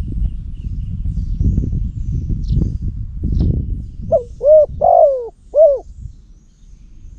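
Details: Decoy spotted dove from Cambodia, kept for luring wild doves on a hot day. Rustling, rumbling noise comes first, then three clear low coos, the middle one long and gently falling.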